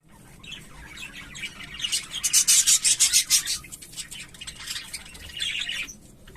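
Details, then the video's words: Fallow English budgerigars, visible and carrier mutations, chatter in a busy, scratchy warble of rapid raspy chirps, swelling into a dense burst of harsh notes about three per second before fading back. "Periquitos Fallow ingles visible y portadora"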